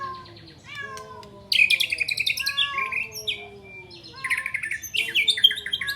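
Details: White-rumped shama singing a long run of mimicked flycatcher phrases: fast, jumbled high trills and chips above sliding, descending whistles, growing busy again near the end.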